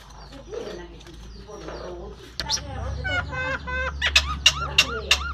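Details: Myna copying human coughs, laughter and speech. Speech-like murmuring gives way to a rapid series of clipped, descending harmonic notes like chuckling laughter, ending with sharp squeaky yelps.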